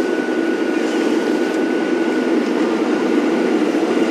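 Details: Constant engine roar from a safari vehicle on a morning drive, with a faint steady whine running through it and no animal voices.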